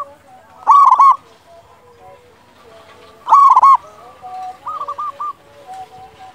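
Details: Zebra dove of a local strain, singing strongly as lure song for other doves: two loud clusters of rapid, harmonic-rich coo notes about three seconds apart, with a faint, quick string of rolling coos toward the end.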